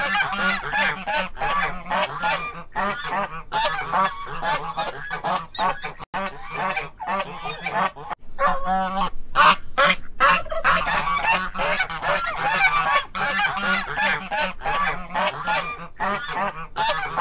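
Guineafowl give harsh, grating calls in rapid, uneven bursts, several birds calling over one another.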